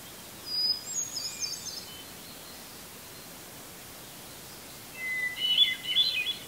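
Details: Hermit thrush in a red pine tree, Eustis, Maine, singing at dusk on July 18, 2020; a very high thin phrase followed after a long pause by a lower one beginning on a steady whistled note and dissolving into rippling, echoing trills.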